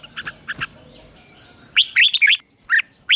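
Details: Red-whiskered bulbul morning song, used for training in the 'ché' style. Faint, distant whistles open the phrase, then a loud, clear burst of rapid, warbling notes follows, and a final chirp ends it.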